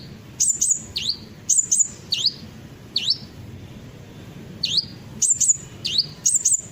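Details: Sunbird song used as a lure to make other birds sing along: high, thin chirps in quick pairs and sharp downward-sliding whistled notes, in bursts about every second, over a low steady background hum.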